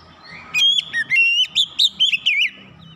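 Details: Oriental magpie-robin song, fast chirping used to stir a lazy bird into singing; a burst of loud, clear whistled notes, bending up and down in quick rolling phrases after a brief quiet start.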